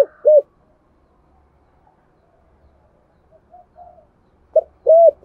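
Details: Spotted dove with a 'thổ sấm' voice: a single short husky coo, near-silence with faint soft notes, then a pair of arched coos at the end.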